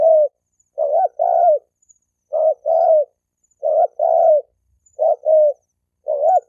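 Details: Spotted dove gáy gù cooing aimed at provoking fights between males and females; five or so low two-part coos, short clipped note then longer rolling one, in quick regular phrases.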